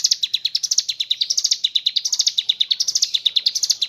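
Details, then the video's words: Ciblek gunung in gacor song, with kapas tembak imitations: brief, rapid alternation of high and slightly lower sharp notes, an unbroken chattering trill. "ciblek gunung / cigun gacor ngebren isian kapas tembak bird sing"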